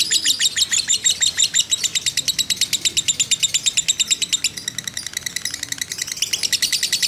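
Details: Lovebird of fighter type in a long, unbroken ngekek meant to provoke others: rapid shrill rattling notes, several per second, holding steady in loudness with a slight drop and rise in pitch near the close.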